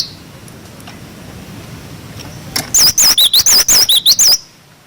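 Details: Cinereous tit, wucit wucit song for tutoring young birds: after a long quiet lead-in, a short loud volley of about ten crisp, wavy whistles alternating high and low, ending abruptly.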